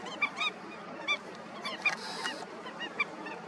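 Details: Indian skimmer breeding colony with several birds giving short, sharp, nasal yelps in scattered bursts, one brief hissing noise in the middle, and a steady background of crowd chatter.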